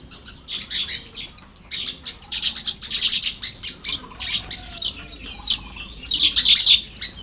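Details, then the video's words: Baya weavers building nests on a morning in Lopburi, Thailand, 1 May 2026: a dense, busy chatter of high buzzy, sizzling chirps in overlapping bursts, with a brief lull and then a loud closing flurry. "เสียงนกกระจาบทำรัง ยามเช้า"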